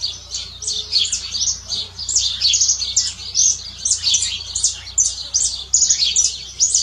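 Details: Canary in nature pouring out a dense, continuous stream of high chirps and trills, against a steady low background hum.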